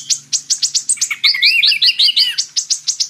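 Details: High, fast twitter from a purple-throated sunbird (kolibri ninja): evenly spaced sharp chips, then a rapid run of five or six curling upslurred whistles, then chips again.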